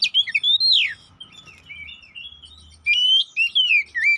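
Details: Oriental magpie-robin (kacer poci), a lure song to make birds emotional and sing constantly: a loud falling whistle sweep, softer warbling, then ringing whistled phrases repeated quickly.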